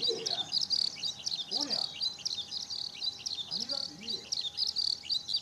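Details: Eurasian skylark singing on a sunny 5 June 2013 at Okayama Airport's fourth parking lot, Japan, recorded on a Lumix camera: a continuous run of high, rapid, jangling chirps and trills, with a few faint low murmurs beneath.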